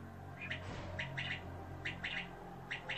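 King quail giving short, harsh chirping notes in pairs and triplets, roughly once a second, over a steady low mechanical hum.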